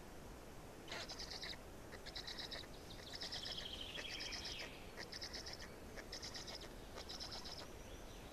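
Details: Quiet, distant-sounding black stork chicks, Estonia, 18.05.2019, fourth chick: evenly spaced raspy bursts and a sliding downward whistle in the middle, over low background hiss.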